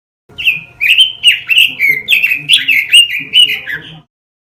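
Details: Caged-bird training recording of a robin: a nearly four-second phrase of quick, sweet whistled notes, each bent up and down, about two to three per second, with a clean silent background.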